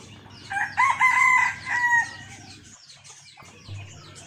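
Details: Decoy red junglefowl rooster, the first of several kept birds, crowing in cold, overcast weather: one long harmonic crow with a rising start and a level, drawn-out ending lasting about one and a half seconds, followed by quiet.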